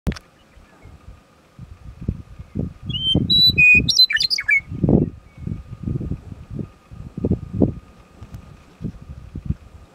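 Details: A Western Meadowlark singing on sagebrush on Antelope Island, with Great Salt Lake beyond, gives one song: a few clear, flute-like whistles, then a quick bubbling, gurgling jumble. Low wind rumble and buffeting run throughout.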